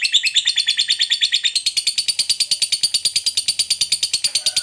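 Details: A fighter lovebird delivers a sustained ngekek, a piercing, evenly paced rattle of high notes, about three per second, steady from start to end.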